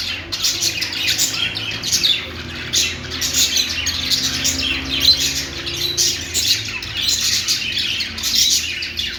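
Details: Budgerigar (Australian parrot, parakeet) singing a long continuous chatter: buzzy, scratchy warbles and quick chirps tumbling in uneven rapid pulses, bright and high-pitched throughout, with a soft hum underneath.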